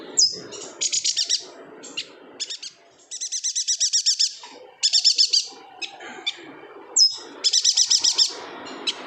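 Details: Yuhina from Kalimantan, a bird in full, vigorous song (gacor) used as a tutor song for murai, cucak ijo and kacer: bursts of rapid, high, metallic trilled notes in tight series, broken by sharp single chirps, over a faint low hum.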